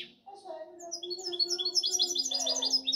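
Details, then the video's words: Goldfinch hybrid in song: a quiet start, then a rising run of quick, bright chirping notes repeated several times a second over a steady low hum. "Mi mixto de jilguero"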